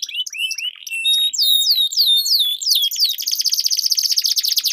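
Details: A two-canary song duel with long rolls, used as a lure to train competition canaries. Thin sliding whistles and long drawn notes lead into a loud, fast pulsing trill that fills the final seconds.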